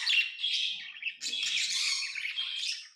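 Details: Tame pet lovebirds chirping indoors: a continuous stream of harsh, buzzy, high-pitched chatter with squawky notes, nearly unbroken for three seconds.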